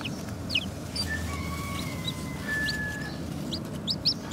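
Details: Newborn chicks peeping: short, high, downward-slurred peeps scattered irregularly over steady background music with sustained tones.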